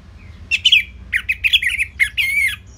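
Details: Caged orange-headed thrush from Singaraja, northern Bali, used for training birds: continuous run of warbled, rattling phrases with rich whistled tones, delivered in quick successive bursts.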